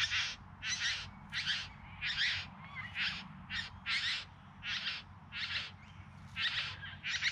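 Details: Courting bowerbirds in the Yarra Valley outside Melbourne, September 2020, giving a steady series of short, hissing, churring buzzes, roughly eleven in seven seconds at an uneven pace, with faint low background hum.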